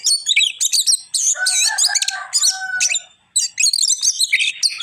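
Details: Singing Oriental magpie-robin: bursts of bright chirps and fast twittering phrases, a middle passage with lower rough buzzy notes and a steady whistle, then a short silence before the high varied song resumes.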